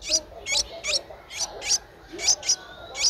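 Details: Nestling Streak-eared Bulbul aged 10 days in Ubon Ratchathani, Thailand, recorded 12 April 2023. Shrill high squeaky notes come irregularly, singly and in quick pairs, over faint low background hum.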